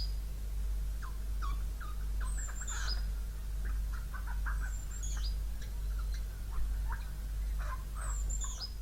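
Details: A wild Siberian jay, imitating sounds such as meowing, gives soft, cat-like mews and thin, high, downslurred whistles roughly every three seconds over a steady low hum.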